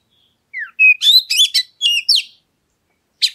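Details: A single oriental magpie-robin phrase: a falling whistle, a flat whistled note, then a rapid jumble of high chirps and buzzy notes, ending with a short chip; intended to provoke other birds into song.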